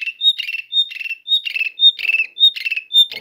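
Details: Asian pied starling call used to provoke other birds into singing: a clear high whistle alternating with a harsh, rattling buzzy burst, the pair repeated steadily about six times, with no other sounds present.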